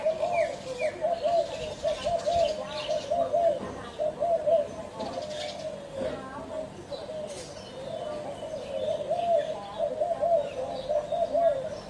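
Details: Spotted dove cooing in low, soft repeated phrases roughly once a second, the coos running together in a steady sequence, with faint higher chirps from other small birds and some background noise.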